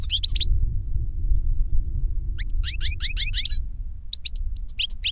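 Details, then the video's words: Goldfinch song from an older bird teaching a younger one: clusters of fast, bright twittering notes in three bursts separated by silent gaps, with a constant low hum underneath. "Older GOLDFINCH SINGING to Teach Younger Goldfinch"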